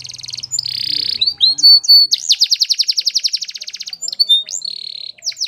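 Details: Canary singing a training song. A brief low hum opens it, then come sustained high whistled notes, short slurred phrases and a long, rapid, evenly pulsed trill, ending in further sliding whistles.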